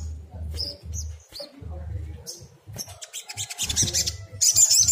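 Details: Agitated Brown-throated Sunbird song used as a lure to make other sunbirds answer: scattered thin, very high chirps and short twittering bursts, growing denser toward the end, over a steady low hum.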